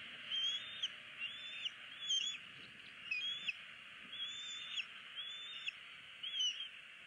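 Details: Ignored bald eagle chick in a Southwest Florida nest begging its parents for food, February 2016: a string of high, thin whistled pleas, each arching up and falling, roughly one per second, under constant broadband hiss.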